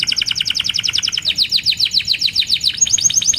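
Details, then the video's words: Canary singing a steady rapid trill of short chirps, about eight per second, that grows fuller and slower midway, then turns to rising slurred notes. "Burung Kenari GACOR Cuit Cuit EMOSI‼️Pancingan Kenari Paud Belajar Bunyi, Terapi AMPUH Kenari Macet"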